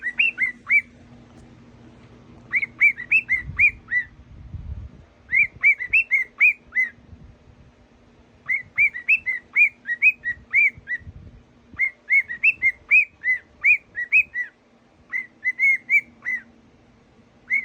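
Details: A pet male cockatiel, coaxed by his owner, whistles the tune "Tequila" in short bursts of clear, bright, rising and falling notes, seemingly avoiding the high notes.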